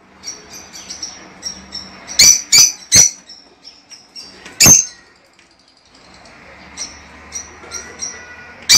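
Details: Lovebirds, song claimed to stimulate pairing and breeding: a cluster of sharp, screechy notes in the middle, quieter high thin chirps before and after, and a final shriek at the end.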